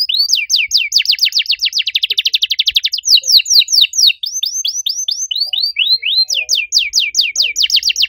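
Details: Canary in loud song with an unusual style: spaced descending whistles speeding into a dense rolling trill, then varied swooping notes at changing speeds, delivered without a break.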